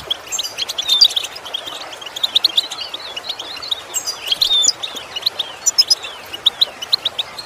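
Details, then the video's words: Training song for goldfinches learning to imitate sounds; a busy stream of high twittering and chirping with repeated rising and falling notes, strongest in the first second and around four and a half seconds. "Training The Goldfinch To imitate Sounds Useful Lessons to improve Song"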